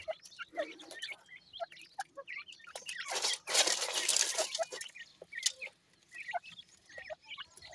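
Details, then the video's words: Grey francolin chicks while feeding: scattered high thin peeps, some rising or falling, mixed with dry clicks and pecking crunches, and a loud rustling, scraping burst in the middle. "sindhi teetar kay bachay,gray pheasant chicks with feeding"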